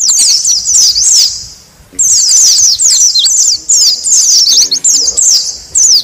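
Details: Noisy Oriental white-eye calls meant to lure wild white-eyes: busy high twittering bursts of quick zigzag chirps, broken by a short gap near two seconds, with faint rustling underneath.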